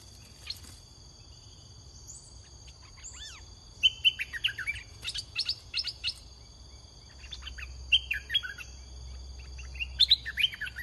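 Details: Caged red-whiskered bulbul used as a decoy to lure a wild bird, singing short bursts of chirpy, warbled phrases with slurred notes. The phrases come in clusters after a quiet start, over a steady high whine and a low rumble.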